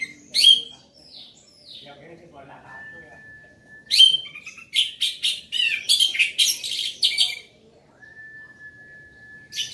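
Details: Loud, lively song of an orange-headed thrush: sharp isolated chips, then a packed burst of fast rasping, scratchy notes, with a flat, steady tone filling the pauses between phrases.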